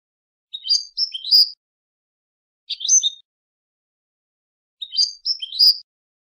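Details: Goldfinch song from a song CD in short bursts of tinkling, twittering notes, three brief phrases spaced about two seconds apart against a silent background.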